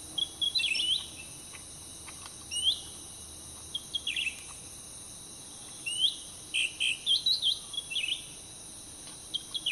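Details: Cucak ranting (Grey-bellied Bulbul) near a roadside, with a caged bird used to lure wild ones. Bright chirpy phrases and quick twittering notes come in short bursts, with gaps between, over a steady high insect hum.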